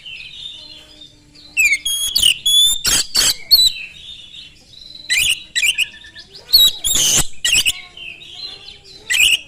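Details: Oriental magpie-robin song used to provoke other magpie-robins: a soft whistled opening, then bursts of high sliding whistles and harsh raspy notes in three clusters.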